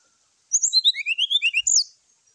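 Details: Morning fighting call of a brown-chested jungle flycatcher, used to rouse rival birds: a rapid run of about ten clear whistled notes gliding downward in pitch, finished by a higher slurred note.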